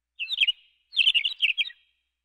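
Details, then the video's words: McCown's longspur giving two quick bursts of high, dry twittering notes, the second longer and more run-together, with nothing else audible. "McCown's Longspur bird sound effects"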